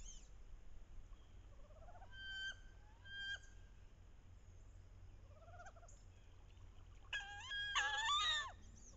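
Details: Wood ducks paired up on a bayou in the last weeks of October, hens calling to entice drakes during the mating ritual; scattered short rising notes, then a loud burst of wavering, squealing calls near the end.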